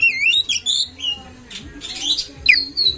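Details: Oriental magpie-robin lure song meant to provoke other magpie-robins: quick rising and falling whistles at first, then scratchy buzzy bursts and a sharp downslurred note near the end.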